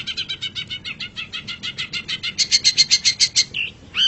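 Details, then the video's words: Long-tailed shrike song used as a tutor recording for songbirds. It has a fast, steady series of harsh chattering notes, about three or four per second, that grow louder and clearer near the end, then a short slurred whistle and a final burst. "Masteran Suara Pentet Cendet"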